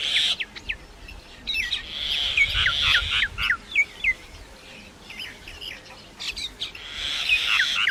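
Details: Mixed singing attributed to a common myna: scattered short whistled and squeaky notes over a harsh buzzing chatter, irregular in rhythm.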